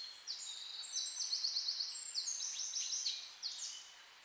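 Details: Birds singing in a beech forest with blooming rhododendron bushes, recorded in real time: high, thin whistled notes and fast sliding phrases, fairly distant, over a soft background hiss.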